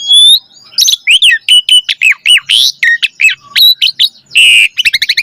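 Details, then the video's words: Asian pied starling singing in a full, varied style meant to prompt other starlings into song: a loud opening whistle, then a rapid sequence of harsh chattering notes, bent whistles and a closing burst of quick clicking pulses. "Pancingan Jalak Suren Agar Burung Jalak ikut Gacor Full Isian"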